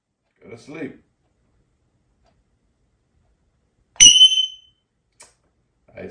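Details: A pet African grey parrot, Jocko, mimics an alarm at bedtime with a single bright electronic beep, a high ringing metallic tone, while a person tells it to stop and go to sleep, speaking before and after.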